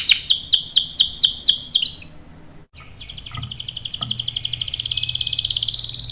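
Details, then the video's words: Canary lure song: a series of fast looping whistled notes, a short silence, then a long buzzy roll that grows steadily louder. "PANCINGAN KENARI GACOR cuit cuit bikin NYAUT ikut BUNYI NGEROL PANJANG ¦ CANARY SINGING"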